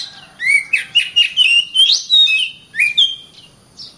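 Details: Oriental magpie-robin kept in a cage, singing a continuous string of loud clear whistles that swoop up and down, with rapid scratchy notes woven between them.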